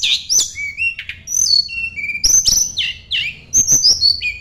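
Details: Sunda blue robin singing while seeking a rival: a rapid run of high whistled notes, sharp downslurs and short flat whistles, with brief clicky chips between phrases and a quiet background.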